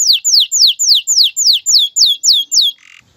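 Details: Male canary singing to prepare a female for mating and spur her to build a nest: a fast run of about ten loud, clear notes, each sweeping steeply downward, evenly repeated about four per second, then a short buzzy burst.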